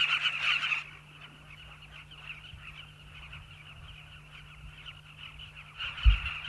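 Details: Breeding colony of Southern carmine bee-eaters in the riverbanks of South Luangwa National Park, Zambia. A loud opening burst of rolling calls from many birds fades to steady background chatter, ending with a sharp thump.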